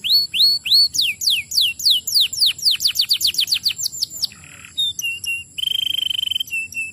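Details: Canary singing to prompt other canaries into song, with a string of rapid descending whistled sweeps, a short buzzy burst, scattered high chips and a fast rattling roll held for about a second.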